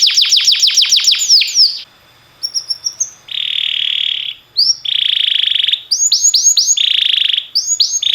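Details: Training song of a timbrado canary: quick falling sweeps, then long buzzy sustained rolls broken by short gaps, with sharp rising whistles between them.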